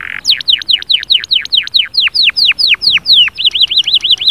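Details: Canary song used to spur a quiet canary into singing: a steady run of loud, sharply falling whistled notes, about four per second, then a quick bouncing trill of rising and falling notes at the end.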